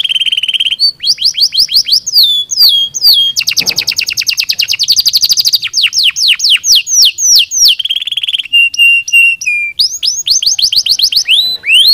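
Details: Canary singing, meant to encourage lazy birds to sing. Rapid varied phrases: steep descending whistles, a dense buzzy rolling trill, short steady tones and upward slurs, shifting tour to tour without pause.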